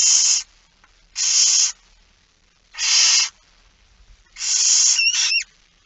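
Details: Barn owl begging at a feeding, 13 September 2019, 06:57: four harsh, hissing, broadband shrieks about half a second long, spaced irregularly, the last followed by a couple of short, thin rising chirps.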